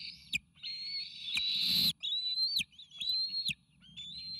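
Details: Three nearly fledged bald eagle eaglets call for an incoming meal at the Sauces nest, recorded by nest cam on May 29 2018. Drawn-out, high, strained whistles with rising and falling ends, one overlaid by a short burst of rustling noise.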